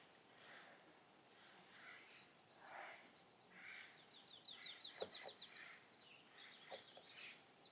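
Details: Loud jays at about 7,000 feet in the Gila National Forest give harsh, raspy calls every second or so, and a rapid run of high, thin chips and a few sharp clicks breaks in midway.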